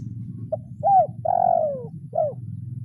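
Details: Kuk 0-1 style lure spotted dove calling a rival: a four-part coo of a short note, an arched coo, a long drawn downward coo and a brief final coo, with steady low background humming.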